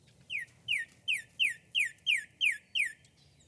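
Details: A cardinal, recorded outdoors with grackles nearby, sings eight clear, downslurred whistles in a steady series, about three per second, over a faint low background hum.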